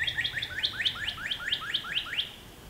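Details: Northern cardinal (Cardinalis cardinalis), song.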